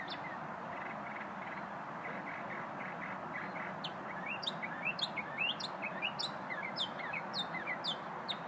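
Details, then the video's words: Small unnamed songbird heard during a lunch break: faint notes at first, then a lively series of sharp high downslurred chirps, about two per second, against continuous low background noise. "Happy bird"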